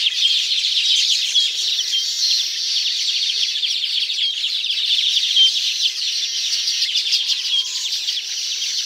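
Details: Baya weaver calling around its hanging nests in a tropical habitat: a dense, continuous wash of high buzzy chirps and twitters with no pauses, plus one faint low whistle near the end.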